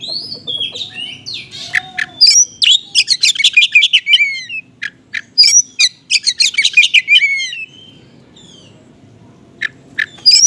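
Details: Oriental magpie-robin singing a 'konslet'-style lure song rich in small-bird mimicry, meant to provoke unresponsive magpie-robins; dense runs of sharp high chirps and upward-sweeping whistles, then a quiet gap before a few final notes.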